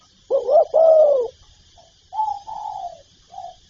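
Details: Spotted dove, calling, urging and cooing repertoire: one loud hollow doubled coo, then quieter higher soft notes trailing after, including a drawn-out gentle tone and a short final note, over faint hiss.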